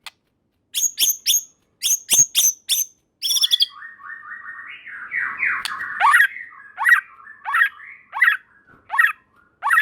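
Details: White-rumped shama singing to draw a reply from other shamas: a series of sharp high clicks, a scratchy descending warble, then loud whistled notes that drop in pitch and repeat about once a second.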